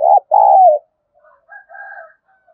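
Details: Spotted dove giving a calling coo of the kind used to train decoy birds. A brief hoot leads into a drawn-out, gently falling coo, followed by faint, softer, higher cooing notes.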